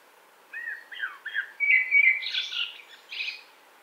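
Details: Song of a common blackbird from Wittlich, 2018: several short, soft fluty notes build into a clearer whistled middle section, then end in high, squeaky twittering flourishes.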